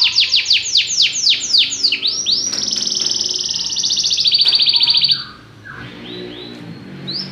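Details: Belgian canary singing: a run of loud descending sweeping notes, then a long rapid buzzy trill held steady, a brief pause, and softer rising notes at the end.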